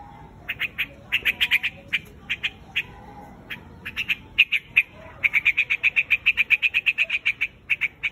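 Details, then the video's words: Quạch mốc, the white-headed bird, summoning its flock with sharp chirps, first in uneven groups, then accelerating into a fast, steady run of about four notes per second. "Tiếng chim quạch Mốc"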